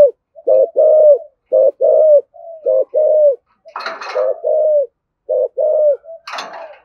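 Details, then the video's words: Spotted dove in 'thúc gù' driving coo, a lure to provoke wild doves: rapid series of short low hollow coos in clustered pairs, interrupted twice by brief rustling noise bursts. "Tiếng cu gáy Thổ Sấm thúc gù căng lửa kích bổi rất hiệu quả"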